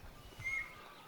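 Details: A Red-backed Kingfisher in outback mallee at Gluepot Reserve, South Australia, gives a single thin, high whistled note lasting about a fifth of a second, over soft outdoor background noise.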